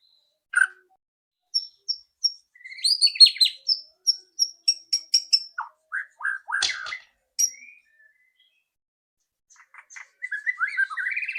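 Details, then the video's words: White-rumped shama with a loud rattling ketrekan song, used to prompt another to sing: sparse high notes build into a quick chattering burst, then scattered whistles, a quiet gap, and soft warbling at the end. "PANCINGAN MURAI BATU AGAR CEPAT BUNYI ketrekan keras murai batu"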